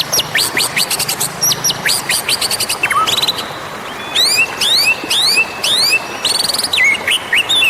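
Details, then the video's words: Wild magpie-robin lure recording: rapid sequence of sharp, high chips and ticks, then a series of quick downward-sweeping whistled phrases repeated about every half second, loud and varied. "SUARA PEMANGGIL Burung Murai Liar"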